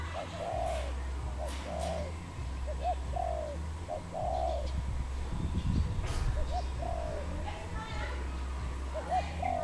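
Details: Wild dove in Cambodia, 23 April 2020, cooing repeatedly: soft, low, rounded notes in short bursts with a lilting rhythm, over a steady low engine-like hum, some rustling and faint high chirps of other birds.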